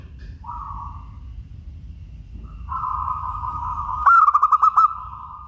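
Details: Local perkutut, the zebra dove, delivering one bright, rapid string of pulsed coos near the end, preceded by faint drawn-out tonal notes and a soft low rumble in the background.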